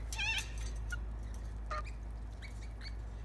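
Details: Several lorikeets in a backyard, hand fed with bread crust: a harsh, wavering screech opens the clip, followed by short scratchy squawks and thin high chips over a steady low hum.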